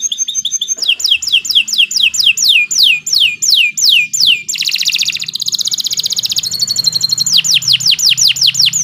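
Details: Domestic canary singing a long master song for training young birds: sharp high notes, then a run of about a dozen falling whistles, a dense buzzing trill, and more descending whistles, with a faint low hum.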